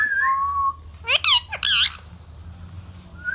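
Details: Young pet rose-ringed parakeet: a brief level whistle, then two loud harsh squawks close together, followed by a quiet room hum and a faint rising whistle at the end.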